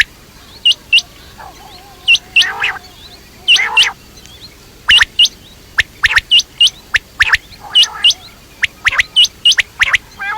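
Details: Quail calling: sharp, high, whistled notes, often in quick pairs, repeated roughly every second or less. Lower, rougher squawking bursts sound between them.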